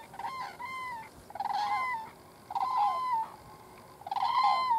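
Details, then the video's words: Pair of common cranes in a southern Swedish field, 22 September 2015, trumpeting ahead of take-off: four bouts of loud, rolling, resonant bugling, each about a second long, separated by short pauses. "Two Common Cranes trumpeting and then taking off"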